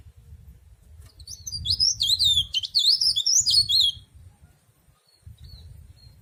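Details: Ornamental mountain leaf warbler giving a rapid three-second run of sharp, high, up-and-down chirps, rising and falling quickly, with a steady low hum underneath.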